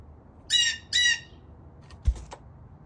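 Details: Wild Blue jays visiting a backyard to eat peanuts: two harsh, buzzy squawks in quick succession, about half a second apart, followed by a loud thump and faint rustling.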